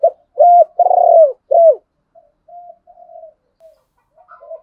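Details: Spotted dove call for luring a wild rival dove into a fight, male and female voices. It opens with a short note, a level hoot, a long purring roll and a down-slurred coo, then several faint soft coos.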